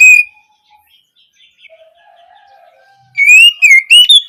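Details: Oriental magpie-robin, kacer, opening song phrase used for training young birds: one brief whistle at the start, a long near-silent stretch, then a final run of four bright, sliding whistled notes.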